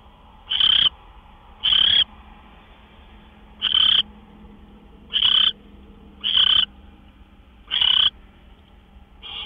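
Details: Owl at the nest on March 26, 2013, shortly after midnight as gophers arrive; seven short, harsh screeching hisses come in an uneven series, each about a third of a second long.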